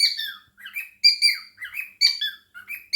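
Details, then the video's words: Indoor cockatiel chattering and singing with budgie companions: short clusters of squeaky, buzzy chirps, some sliding downward, broken by brief silences between bursts. "the cockatiel and fam: Chattering, singing and dancing"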